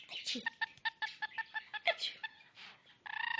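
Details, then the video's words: Caged Goldie's lorikeet trying to court its owner's hand, clucking like a chicken: a rapid series of short harmonic clucks, ending in a throbbing buzzy purr. "Goldies Lorikeet singing"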